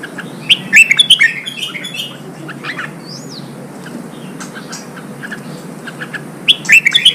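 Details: Red-whiskered bulbul song from Vietnam, used to push newly kept birds into fighting spirit: a loud opening phrase of bright warbled notes, quieter scattered chirps and a brief arched whistle, then another bright phrase at the close.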